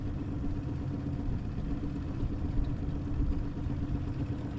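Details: Steady low engine rumble and idling vehicle noise throughout, with no animal voices heard.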